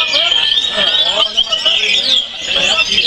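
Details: A competition orange-headed thrush at a songbird contest, Semarang, 10 March 2024, singing with fanned tail: a continuous, rich, high warbled song of varied whistles and trills, with other birds and faint voices behind.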